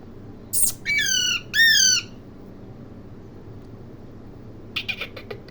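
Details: Parrot calling with two loud, harsh, slightly descending squawks after a brief high scratchy note, then quiet and a burst of soft clicking chatter near the end.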